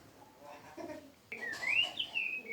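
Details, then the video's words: Kept bird singing: after a faint, murmuring start, a clear whistled phrase enters and slides up and down in a wavering, continuous line for over a second, ending on a softer falling note. "Chim nuôi hót rất hay"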